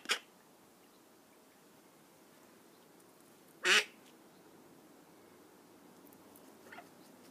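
Young call ducks give three short, harsh quacking calls spread over about seven seconds; the middle call is loudest and the last is faint, with quiet room hiss between.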